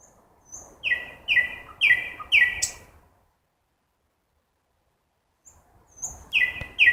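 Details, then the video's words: Nightingale singing at night in a forest: four loud, slurred notes repeated about every half second, then a silent gap before a fresh run of the same ringing notes with soft high ticks. "Красивое пение соловья в лесу ночью"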